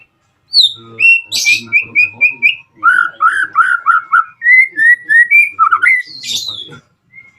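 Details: White-rumped shama singing to call out rivals and arouse other shamas into song: a buzzy high flourish, then fast repeated whistled notes, rolling warbles and sliding phrases, with faint low clicks beneath.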